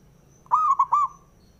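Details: A male zebra dove sings a phrase used to provoke other doves: a mellow, purring coo split into three or four quick notes, ending in a drawn-out tone, with quiet background.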